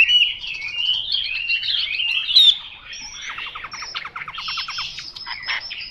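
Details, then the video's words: Chinese hwamei song opening with fluty whistled phrases, followed by a rapid series of short repeated descending notes and a few harsh bursts. "Họa mi mộc dở 09"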